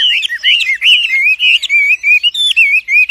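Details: Wambi in vigorous song: a continuous loud warble of clear whistled notes, rising and falling slurs strung together with brief pauses, several notes per second, high and sweet in tone.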